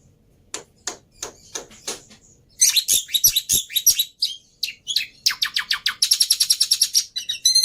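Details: Varied black-winged myna song recorded as an easy-to-copy lure and master: spaced sharp clicks, then dense harsh chatter and fast buzzy trills with a few thin whistles.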